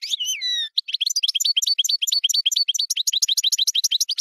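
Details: European goldfinch song beginning with a drawn wavering whistle, followed by a long, rapid, even series of sharp tinkling twitters.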